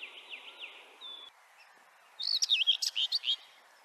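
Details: Common whitethroat (Sylvia communis) song: a single brisk, scratchy warbling phrase of about one second, made of rapid harsh chirps. Faint, high whistled notes from a distant bird come just before it.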